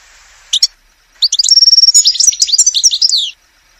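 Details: European goldfinch in a forest: a pair of short sharp chips, then a rapid twittering phrase holding a level, piping high note before tumbling into chattering, lively trills.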